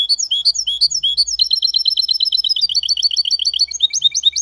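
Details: Goldfinch × canary hybrid singing clean, error-free Malaga-style song: a rapid high twittering run of bright, sharply rising and falling whistled notes, several per second, shifting midway into a faster even trill, then clearer looping phrases.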